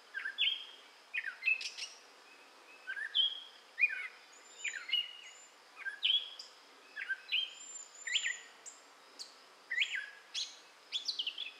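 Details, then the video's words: Gray catbird singing in southwest Michigan in May 2011: a continuous jumble of squeaky, scratchy and slurred notes, with upward and downward sweeps mixed with thin high whistles, delivered in quick short bursts. "Gray Catbird Singing in Michigan"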